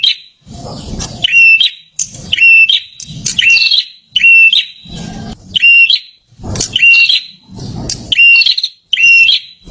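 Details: Prinia singing in loud, rapid phrases: bright chattering notes ending in a steady whistled tone, repeated about every second with short pauses, alongside low thumping bursts between phrases.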